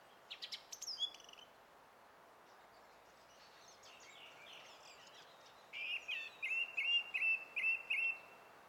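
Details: Song thrush song, 20 April 2016: thin high twitters at first, then a steady series of about eight short, bright, repeated whistled notes delivered quickly and evenly.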